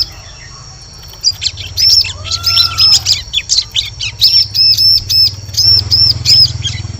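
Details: Bar-winged prinia call used to lure birds in forest: after a quiet start, a long rapid run of high, shrill, chattering notes in clusters, over a low steady hum.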